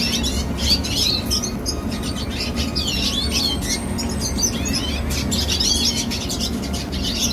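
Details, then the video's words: Young red siskin in song: dense, hurried twitters with looping whistled phrases and buzzy rattles, backed by a steady low droning hum. "Teen Red Siskin Singing - Chim Red Siskin Hót"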